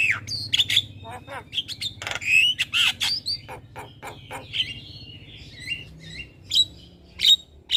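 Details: Morning song of a Javan myna, recorded as a master and lure track: mixed whistles, harsh rasps and quick clicks in irregular bursts, with high sharp whistled notes toward the end.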